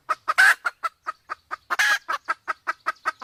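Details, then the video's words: Sumatran junglefowl pair, the female in heat: rhythmic clucks about five per second, interrupted by two harsh, broad squawks, recorded clearly for attracting wild birds. "suara ayam hutan Sumatra || jantan betina kombinasi betina birahi"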